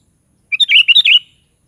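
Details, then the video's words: Short, chortling phrase of a sooty-headed bulbul (kutilang) in 'gacor' lively song: a clipped opening note, then quick liquid, gurgling whistles rolling together for under a second, clear against silence. "SUARA BURUNG KUTILANG"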